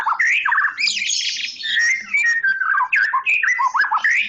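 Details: Dense, energetic song from a Medan white-rumped shama: harsh chattering bursts alternate with clear whistled slurs and quick rising notes, delivered almost without a break.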